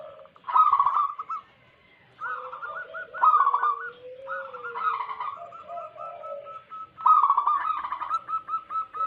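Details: A chorus of wild local zebra doves, used to lure doves: bursts of rolling cooing trills and runs of short coos, interwoven with a softer, lower, sliding coo from another bird.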